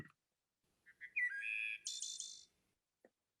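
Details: A Wood Thrush, a characteristic sound of the forest in late evening around sunset, sings one phrase: two soft low notes, a clear flutelike middle note, then a high, shimmering trill that fades, with two sounds produced at once.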